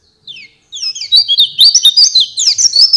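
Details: Master song of an Oriental white-eye for training songbirds, opening with two thin descending whistles before breaking into a fast, dense, high-pitched twittering run.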